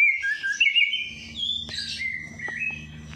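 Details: Bird in full song after its night bath, aimed at waking lazy singers: clear drawn-out whistled phrases stepping up and down, broken by a few sharp clicks, in near silence.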